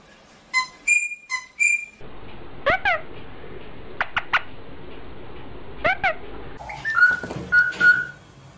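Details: Rosella song: clear, ringing whistled notes in a quick series, then a stretch of steady background hiss with a few sharp chirps, ending in lower, smoother whistles repeated in a short phrase.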